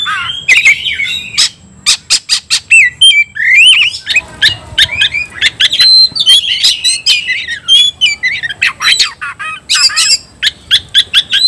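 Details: Fighting song of an oriental magpie-robin that goads others into singing and fighting: quick series of harsh sharp notes, then fluid looping whistles and trills, with strings of rapid repeated chips toward the end.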